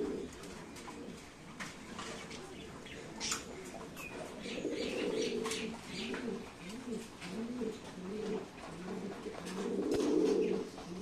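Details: Fancy domestic pigeons give low, rolling coos in overlapping bursts, with occasional wing flutters.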